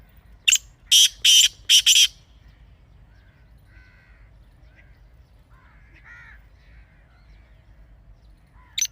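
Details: Partridge call meant for birds to hear daily, a burst of four loud rasping notes in under two seconds, then a long near-silent pause with faint distant chirps and one more harsh note at the end.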